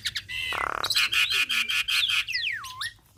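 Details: A Javan myna sings energetically, in a recording meant to lure and train songbirds: a rough, grating buzz, then a run of short harsh notes, ending in a long whistle that swoops down and back up.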